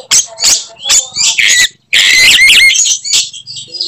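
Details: Aggressive fighting-style song of an Oriental magpie-robin, the kind said to provoke other magpie-robins into rage; choppy high notes, then a loud warbled burst with bright rising whistles after a brief silence.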